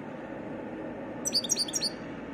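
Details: Brief burst of goldfinch song: a quick cluster of high, tinkling, liquid notes lasting under a second, heard over a soft, steady background hum.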